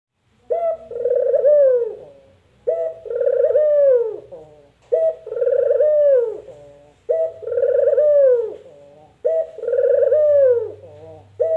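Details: Puter dove giving its distinctive call, imitated locally as "mpuk jerruuu" or "kuk gerruuuk": five low cooing phrases, each a short note, then a rolling, drawn-out coo that falls at the end, repeated about every two seconds.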